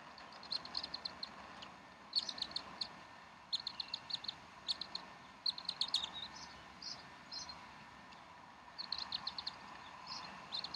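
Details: Bald eagles at the Decorah nest on 18 April 2012, around 10:30 am, both parents feeding the chicks. High, thin chirps come in quick bursts of four to six notes, repeating every one to two seconds over a steady background hiss.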